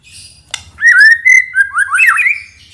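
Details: White-rumped shama lure song: after a soft background and a single sharp click, a smooth, sustained whistled phrase that wavers, dips and rises again, with faint low rumble beneath.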